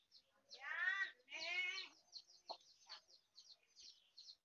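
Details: Mother hen out foraging gives two drawn-out, harsh, nasal calls, followed by a short cluck and a string of faint high chick peeps.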